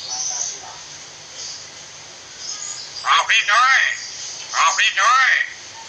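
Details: A talking common hill myna used as a tutor recording speaks two short, clear phrases of human-like words with gliding tones, about a second apart, over faint background hiss.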